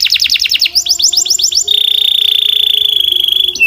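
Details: Canary trilling: quick clusters of falling chirps give way to a long, very fast, mechanical-sounding rattle held at one pitch for almost two seconds. Faint low tones lie underneath.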